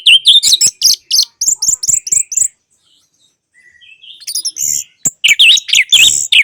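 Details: Caged orange-headed thrush song used as therapy for a bird that has stopped singing: rapid bursts of high, sharp notes, a pause with faint soft notes, then loud looping whistled phrases return.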